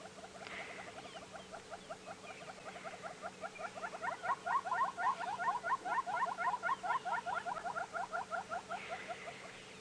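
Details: A pair of Southern Yellow-billed Hornbills repeating their synchronized courtship display, male on the right and female on the left, on a sunrise safari drive, May 17; quiet clucks build into a loud, fast run of paired hollow notes, about two per second, then fade.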